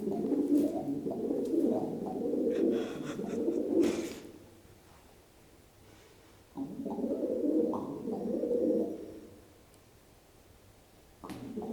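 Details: Pet pigeon cooing indoors while hopping down stairs, cooing faster the faster he jumps: low throaty rolling coos in two long bouts of about four seconds each, separated by a quiet gap, with faint taps.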